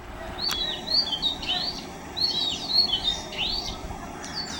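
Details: Oriental magpie-robin at Mormugao Harbour, Vasco da Gama, giving varied whistled phrases of upslurred and downslurred notes in short bursts, with a brief click near the start and low ambient rumble underneath.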